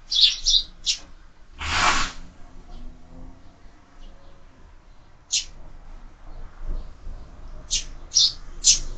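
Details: Sparrows feeding at a window-mounted feeder: scattered sharp high chirps at the start and end, one loud broadband rustle or knock near the beginning.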